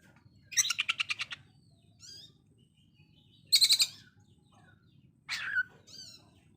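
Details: Oriental magpie-robin in konslet style with coarse sewing-machine-like bursts: three separated phrases, a stuttering pulsed rattle, a brief rapid burst and a downslurred note, with quiet gaps between.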